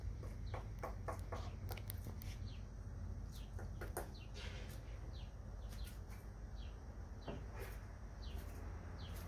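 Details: At a Santa Fe casita, a woodpecker hammers on a fence, giving hard single and clustered raps at uneven intervals while other birds chirp faintly behind.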